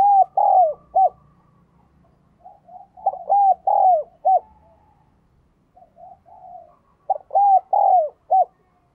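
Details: Spotted dove lure bird cooing and calling: three repeated phrases of loud hollow coos, each with longer arched notes and a clipped ending, interspersed with softer murmured coos and faint low background rumble.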